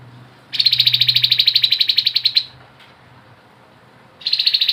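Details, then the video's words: Grey-headed babbler singing energetically in ngebren nyiul style: a rapid, high, evenly pulsed trill of about two seconds, a pause, then a second trill starting. A faint low hum sits underneath. "TEPUS KEPALA ABU GACOR|SUARA NGEBREN NYIUL"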